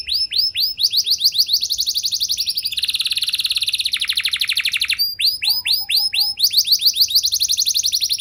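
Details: Canary song meant to set other canaries singing: swooping whistled notes, then a long dense buzzing trill, then swoops again and a rapid rattling trill, fairly continuous throughout.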